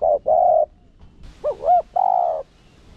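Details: Decoy spotted dove in 'gù' bowing-coo style, used to stir rival doves to call: a short note and a long flat coo, a pause, then two quick arched notes leading into another sustained low coo.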